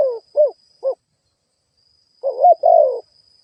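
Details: Decoy spotted dove cooing to attract wild birds: two short clipped hoots, a pause of over a second, then a longer rolling, gurgling coo phrase; a faint high steady tone runs behind.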